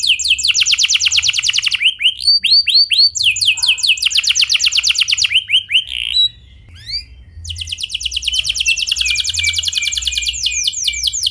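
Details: Canary with a clear rolling song intended to set other canaries singing: quick high trills alternating with slower swept notes, a brief gap near the middle, then a long steady trill.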